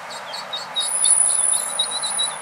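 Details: Orphaned eastern spot-billed ducklings approaching adult ducks in 2020, hoping to be taken in; thin high peeps repeat quickly in a steady series, with a faint constant high tone and background hiss.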